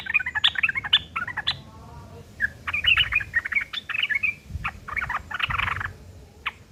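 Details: Sooty-headed bulbul giving a coarse fighting song, used as a lure so other birds reply. Dense, raspy chattering runs almost without a break, with sharp clipped notes and a few short gaps.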